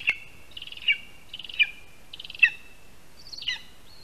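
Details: Lesser spotted eagle at its Latvian spruce nest, August 2021 afternoon, receiving first prey, a rat; high, slightly buzzy yelps with stuttering onsets, four calls in quick succession, ending on a thinner rising note.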